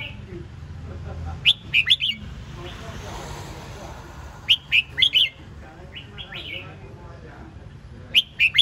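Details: Red-whiskered bulbul song in three loud bursts of three or four quick, chirpy whistled notes, spaced about three seconds apart. Faint softer whistles come between the bursts, over a low hum.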